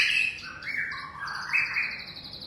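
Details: Wild young white-rumped shama: smooth sliding whistles that dip and climb, layered with a fast high warble, in a short continuous phrase.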